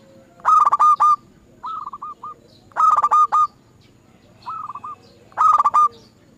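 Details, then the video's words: Zebra dove lure recording meant to set other doves singing: phrases open with a rough, harmonic-rich burst, then run into stuttering cooing notes, with louder phrases about every two and a half seconds and softer ones between, over faint background hum. "Pancingan Burung Perkutut Bikin Perkututmu gak mau diem"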